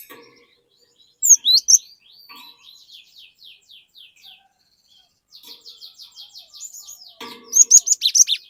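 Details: Cinereous tit singing to spur untrained tits into lively song: a few loud high notes, then long runs of softer rapid buzzy notes, ending in a burst of loud sharp repeated whistles.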